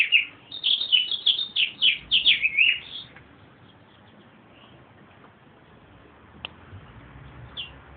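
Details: A meadowlark delivers a fast, bubbling phrase of slurred whistled notes lasting about three seconds, followed by quiet with a faint distant note and a single click.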